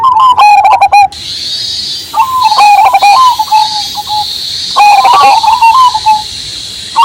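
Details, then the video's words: Big-voiced Cemani Majapahit zebra dove repeating stuttered openings followed by trilling, slightly falling coos, about every two to three seconds, set against a shrill cicada drone and rain. "PERKUTUT CEMANI MAJAPAHIT GACOR SUARA BESAR"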